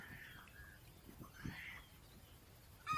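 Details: Red junglefowl (Gallus gallus) gives two faint, hoarse, distant crowing phrases, the second rising and drawn out, while perched in trees amid quiet forest ambience and light wind, ending with a sharp click.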